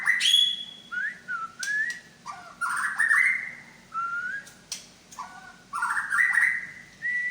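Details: White-rumped shama of the Medan type, singing its repertoire of imitated sounds: varied clear whistled phrases, slurred rising and falling notes in short bursts separated by brief pauses.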